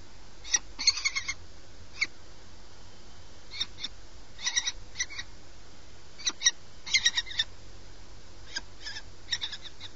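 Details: Peregrine falcon at a nest box on a tall building in Alcalá de Henares, Madrid, Spain, at night during a prey delivery: clusters of short, sharp, high harsh notes in quick runs, repeated irregularly over steady low background hum.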